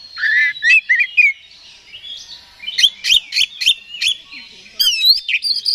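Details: Oriental magpie-robin (kacer) singing to provoke rival birds: rising and falling whistles, then a run of rapid sharp chips and clicks, and warbled notes at the end.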